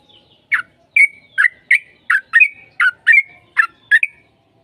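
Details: Sooty-headed bulbul singing actively, used as a lure to prompt another bird to reply: ten short bubbly notes, each sliding up or down, spaced about half a second apart in an uneven series, with no other sounds.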